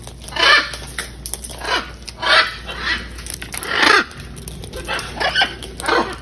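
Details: Wild macaws gather by the hundreds to feed. Coarse, screechy squawks repeat roughly every second or so, some loud and some distant, in an ongoing flock clamour.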